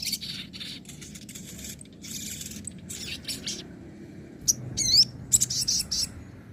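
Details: Crimson sunbird, called sogon, in nembak and ngobra song styles used to train silent birds: dense high rattling twitters, then clear rising-falling whistled notes and sharp chips near the end, over a low hum.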